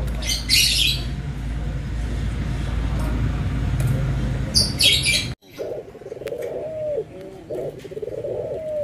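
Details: Barbary dove, from a comparison of white and brown birds: after several seconds of low rumble and high twittering from small birds, soft rolling coos begin, level then falling, with a short note between.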